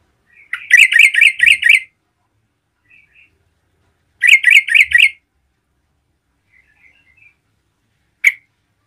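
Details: Yellow-vented bulbul in lively song meant to provoke other bulbuls: two bursts of five quick, rich whistled notes about four seconds apart, then a single sharp note near the end; quiet between phrases.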